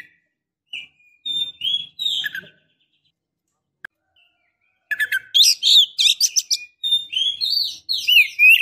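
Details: Female white-rumped shama in breeding condition calling to lure a male: scattered whistled notes and short rising phrases, a pause, then a dense run of sharp, quick-fluttering chips and slurred whistles repeated several times a second.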